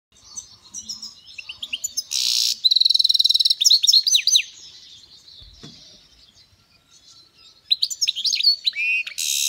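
A European goldfinch sings a bright, tinkling run of fast twitters, rapid trills and harsh buzzy notes, pausing briefly before starting again.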